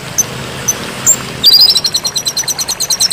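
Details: White-rumped shama training song: a few isolated high squeaks, then a sudden, sustained, rapid rattling trill of very high chips that pulses steadily to the end.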